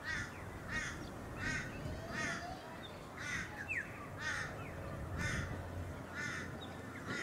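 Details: On the Sunshine Coast of Queensland in August 2023, plumed whistling-ducks give arched whistled notes repeated about every three-quarters of a second, against a steady rushing background.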